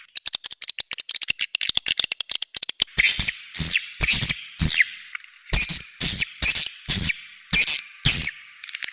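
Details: Edible-nest swiftlet 'outside sound' (เสียงนอก) for swiftlet houses: a fast train of dry clicks gives way to loud, evenly spaced shrill squawking chirps, each about half a second long, repeated roughly every second.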